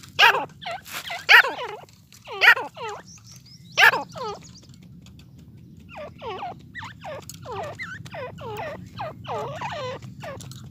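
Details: Dakhni and Erani teetar (partridges) in a fight: loud clustered bursts in the first seconds, then a steady run of arched, bending calls roughly once a second over a constant low background hum.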